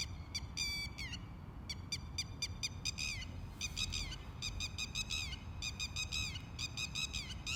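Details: Insistent, shrill calls of a red-wattled lapwing, sharp harmonic notes fired in fast series and longer excited volleys, a few slurring downward, against continuous low-frequency background noise.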